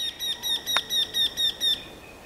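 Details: Eurasian wryneck giving a series of about eight nasal, slightly ringing notes, evenly repeated roughly every fifth of a second. The notes are loud and clear over a quiet background, with one brief click partway through.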